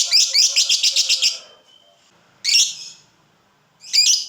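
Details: Fighter lovebird from a ngekek training recording; a brief fast chattering trill of about seven harsh notes, then silence and two isolated shrill screeches spaced over a second apart.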